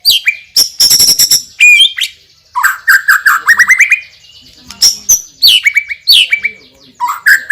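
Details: Loud song of a champion white-rumped shama praised for its spicy song fill: crisp clicks, ringing high whistles and repeated rising slurred notes delivered in quick, varied bursts.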